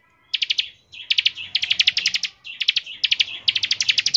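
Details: Bar-winged prinia singing energetically in the rapid 'ngebren' style, used as a lure so other prinias start singing sooner. Six quick bursts of sharp, high, rattling notes, each burst holding five to eight notes, with short pauses between and no other sounds.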